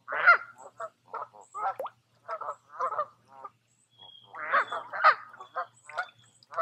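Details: Several geese at a quiet woodland lake in Tamiment, Pennsylvania, during summer, trading short nasal honks and softer grunting notes, then a louder burst of overlapping honks near the end.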